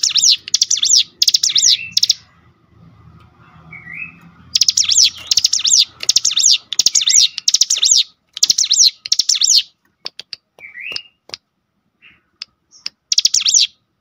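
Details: Cinereous tit driven to sing by a lure recording. Long runs of high, buzzy, sweeping phrases repeat about once a second, with odd rising whistles between runs and scattered sharp ticks in the quieter closing seconds.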